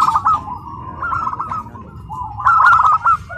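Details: Tame home-kept local zebra dove singing at a contest in Karawang: rolling, stuttering coos in two main bursts, over a background of murmuring crowd noise.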